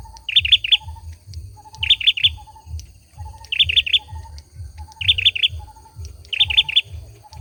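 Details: Male olive-backed sunbird singing: short, high, buzzy trills repeated about every second and a half, with softer lower chirps between them over a steady low hum.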